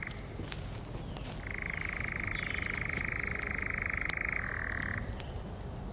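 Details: European nightjar (Caprimulgus europaeus) churring at dusk on a late-spring evening in UK woodland, close by in a nearby tree. A steady, dry, mechanical churr of about three and a half seconds drops slightly in pitch near the end, with a distant road hum.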